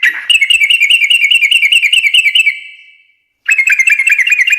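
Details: Fast, even chattering trill of a sooty-headed bulbul in 'ngekek' style, said to prompt other birds to answer; a steady run of rapid repeated notes fades out after nearly three seconds, then restarts abruptly.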